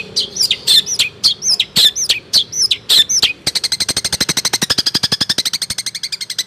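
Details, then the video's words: Long-tailed shrike singing a Cipaku and swiftlet imitation sequence: hooked scratchy chirps about three per second, followed by a fast, even, machine-gun-like rattle of clicks lasting several seconds. "Burung cendet fuul isian Cipaku dg walet"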